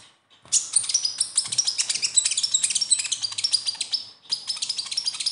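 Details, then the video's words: Besetan song of a konin sunbird, played to coax captive konin into singing: after a brief silence, a continuous stream of fast, piercing, high chirps and squeaky trills runs almost unbroken, with one short gap near the end. "SUARA KHAS KONIN AMPUH UNTUK PANCINGAN KONIN BAHAN"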